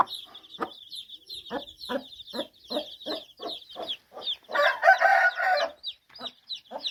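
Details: Mother hen with her chicks: soft low clucks repeated about every half second under constant high thin peeping from the chicks, broken by a loud harsh squawking burst near the end.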